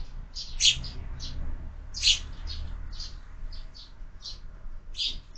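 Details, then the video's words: Sparrows at breakfast in a feeder fixed to a window, fed through the year; bright chirps under a second apart, two louder notes standing out, low hum underneath. "Воробьи в кормушке - завтрак"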